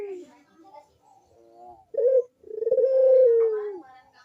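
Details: Barbary dove, recorded cooing to coax reluctant doves into calling: faint murmuring notes, a short sharp coo, then one long, pulsing coo that slowly falls in pitch.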